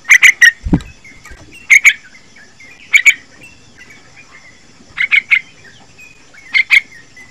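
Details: A young Sooty-headed Bulbul, about three months old, gives quick bursts of two or three bright, chirping notes, repeated every second or so, with one low thump early on. The call is used to lure and teach other young bulbuls.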